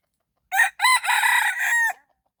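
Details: Red junglefowl crowing in the morning while a decoy is used to lure wild birds: one loud, harsh crow of about a second and a half, broken into a short opening note and a long, slightly wavering drawn-out phrase.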